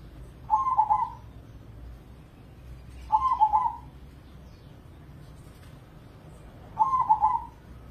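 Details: Indonesian perkutut crossing, a zebra dove used as a singing lure for other doves and a prize-winning contest bird. Three repeated coo phrases, each a rapid warbling triple pulse, come about three seconds apart.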